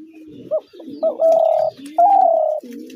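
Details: A spotted dove gives its coo phrase: a quick upturned note, a second short note, then two sustained, even coos that fade slightly downward, with quieter low coos in the background.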